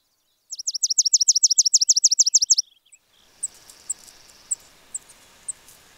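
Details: A Spizella sparrow sings a quick, even trill of repeated high notes for two seconds. Soft sharp chips follow against a faint background hiss.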